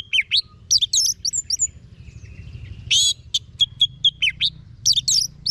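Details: Orange-headed thrush delivering a continuous, varied song of bright whistled and buzzy notes, swooping slurs and brief trills, with short gaps between bursts.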